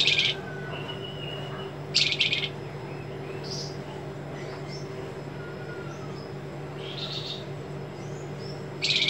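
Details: Sparse, sharp buzzy bursts of a white-rumped shama, used as a training recording for songbirds. Short high rasping notes come every few seconds, with faint thin whistles between them, over a steady background hum.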